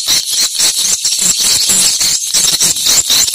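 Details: Swiftlet calls played to check a location: dense, high-pitched chattering twitters in quick rapid bursts with short gaps.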